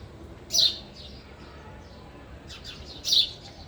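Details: Sparrow at a feeder while eating: two loud, bright, high chirps about two and a half seconds apart, with softer quick twitters just before the second, against a quiet background.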